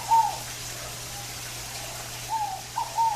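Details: Fogo-apagou, the Scaled dove, singing in natural surroundings: a single cooing note at the start, then a run of three quick coos near the end, with a faint steady hum beneath.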